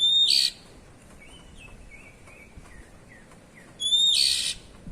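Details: Ngeplong-style 'cier..cier' calls of an Oriental magpie-robin: two loud raspy bursts with whistled starts, separated by a quiet run of soft, falling whistled notes.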